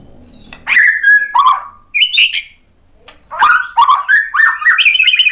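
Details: White-rumped shama stirred up by a lure recording into vigorous answering song; a varied series of mid-pitched whistled and warbled notes, some rising, delivered in quick bursts with a short quiet gap midway.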